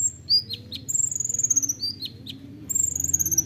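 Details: Dense 'nembak rapat' song of the olive-backed sunbird, locally kolibri ninja, recorded to train songbirds: rapid, nearly continuous high chatter of slurred whistles, falling chips and fast trilled runs.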